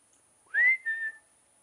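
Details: Peacock on a roof, calling while being fed, gives one loud cry: a ringing note that climbs, then a shorter steady second note, over a quiet background.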